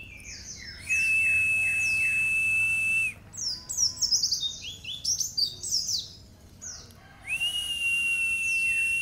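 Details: Nembak-style white-eye training song: a long level whistle, then a burst of quick, high, descending chirps, then another sustained steady whistle near the end.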